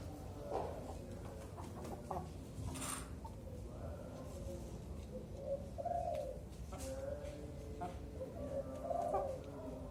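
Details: A zebra dove of four to five months, trained on a raised pole so it learns to sing early, utters brief purring coos, spaced irregularly, with a few sharp clicks and a constant low rumble behind.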